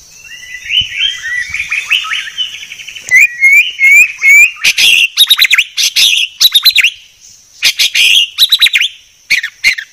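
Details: Clear white-rumped shama training song. Soft rapid warbled notes open it, then looping whistled upslurs, then loud bursts of sharp sweeping chips in quick clusters. A faint high steady tone sits in the background.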